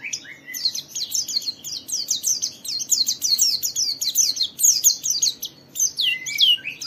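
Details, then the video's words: Continuous rapid white-eye song, played to get other white-eyes singing: dense high chattering notes, many falling slurs strung together, a short break near the end, then a few sharp downslurred calls. "Suara burung Pleci ini Ampuh memicu semua Pleci cepat Buka Paruh dan gacor"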